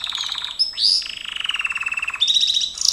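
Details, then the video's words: Gloster canary singing in training: a buzzy trill, a quick rising sweep, then a long rapid roll of even pulses and bright, high chattering notes at the end. "GLOSTER CANARY SINGING"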